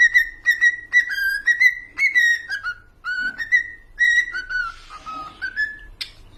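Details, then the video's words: Cockatiel song of clear repeated whistles, each note steady then dipping, phrased in a bouncy rhythm, ending with softer falling notes and a sharp click. "These cockatiels are the real rockstars of the bird world!"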